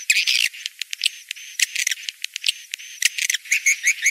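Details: Edible-nest swiftlet mating lure for the rainy-season breeding period: sharp clicks and rattles interspersed with thin, level high whistles, ending in buzzy chirping chatter.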